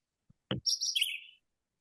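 A single short Red-eyed Vireo phrase: a quick run of high, sweet notes that slurs downward, preceded by a soft knock.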